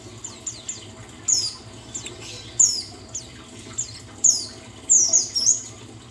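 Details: Buxtoni white-eye therapy song meant to bring a bird back into full song: scattered, very high, thin twittering chirps and short fast trills, coming in irregular bursts with brief pauses, against a quiet low hum.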